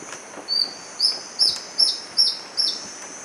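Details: Magdalena antbird at Rio Claro in Colombia's Magdalena Valley, March 2012, gives a quick series of high, sharp whistled notes, each slurring downward, about one every half second, over a steady high insect whine.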